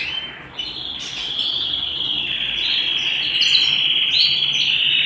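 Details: Canary singing at home, holding a long high trill that runs almost unbroken, with scattered brief chirps layered above it.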